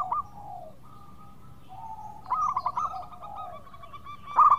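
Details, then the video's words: Local zebra dove, a keen singer, giving quieter drawn coos that fall at the end, then a short fluttering coo phrase and a loud rapid burst at the close. "Pancingan Perkutut Lokal Gacor Suara Merdu"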